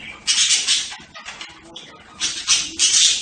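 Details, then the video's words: Budgerigars giving loud, raspy squawks in short bursts, with a quieter warbling stretch in the middle. "صوت طيور هند(البادجي)"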